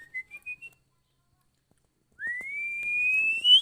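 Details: Female Oriental magpie-robin, used for bird training: three short whistled notes stepping upward, a pause, then a long pure whistle that slides up and ends on a sharper rise.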